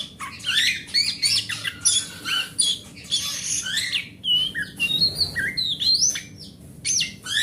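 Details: Oriental magpie-robin described as a large-bodied grade A bird, a forest-type singer played to coax silent magpie-robins into singing; rich, fast-changing song of bright whistles, slurred rising notes and harsh scratchy bursts packed closely together, with faint low hum beneath.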